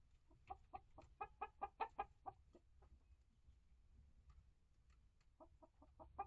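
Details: Hens in a coop and run (Rhode Island Red, Barred Plymouth Rock, Light Brahma) living with young birds hatched August 2023. They give a run of rhythmic clucks that swell and fade, then a pause and a second shorter series, with low background hum.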